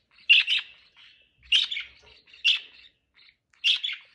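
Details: Budgerigars mating, giving four loud, harsh, chattering chirp bursts about one second apart, each a rough double note with softer twittering between.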